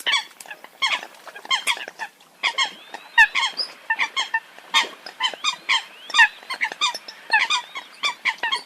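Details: Many short nasal honks from Eurasian coots, repeated in uneven clusters with some higher squeaky notes mixed in, forming a continuous lively chorus.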